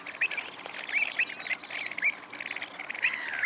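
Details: Avocets at Pennington Marshes, Hampshire, June 2024, giving short, clear, fluty notes at irregular intervals of roughly half a second, over a soft background of other bird chatter.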